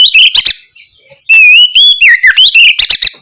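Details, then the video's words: Oriental magpie-robin in loud, lively 'ngeplong gacor' song, used as a lure to prompt young birds to answer: clear rising and falling whistles mixed with sharp clicking chips after a short pause. "Pancingan suara Kacer ngeplong gacor untuk merangsang Kacer bahan agar lekas nyaut bunyi"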